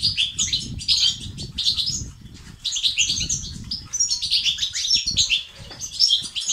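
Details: Twittering goldfinch song in batbata and sastasat styles, meant to increase male activity and singing: bursts of bright high chirps and trills separated by short gaps, over faint low fluttering.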